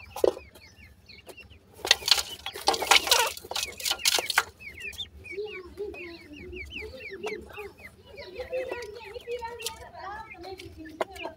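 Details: Grey francolin (bhura teetar) chicks calling: after a burst of human speech, a steady run of quick, high, slurred chirps repeats over soft lower murmuring notes.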